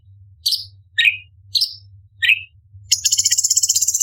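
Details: Orange-bellied leafbird serving as a contest tutor bird: four crisp chirps alternating high and low, then a sudden fast, very high buzzy rattle that continues to the end.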